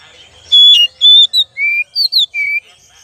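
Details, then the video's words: Whistled phrase of an oriental magpie-robin, used as a lure: long pure high notes, then lower slurred whistles, six or seven loud notes in quick sequence against a quiet background. "pancingan kacer"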